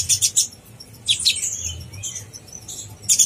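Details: Brief burst of sunbird master song: quick, sharp, very high chips in pairs, a thin trailing whistle, and a final shrill cluster, meant to excite other konin.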